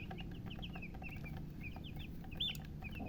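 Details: Freshly hatched chickens give a rapid run of piercing, high falling peeps, overlapping calls from a few chicks, one louder rising-falling chirp midway, over steady low noise.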